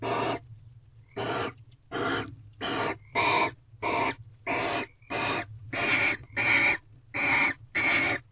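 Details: Mating barn owls at a corral owl box before dawn on 24 February 2023 give a long run of raspy, broadband shrieks, roughly one every 0.7 seconds, with a faint low hum underneath.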